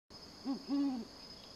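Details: A male great horned owl in Everglades National Park, calling to his mate in her nearby nest, gives two deep, soft hoots, a short one then a longer one, over a faint steady high-pitched whine.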